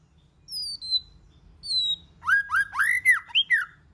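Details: White-rumped shama song, a bird prompted to sing in varied voices: two high whistled notes sliding down, then a rich run of rising and falling warbled phrases, with a faint low hum behind.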